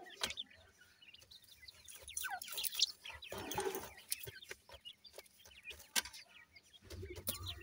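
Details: Several grey francolin chicks peep in thin rising and falling chirps while feeding and playing, with sharp clicks, a brief rustling burst midway and a low rumble toward the end.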